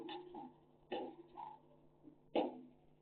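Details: African grey parrot from Sukkur, Pakistan, talking in rough, harsh speech-like bursts, several quick syllables spread across three seconds, with the last one the loudest.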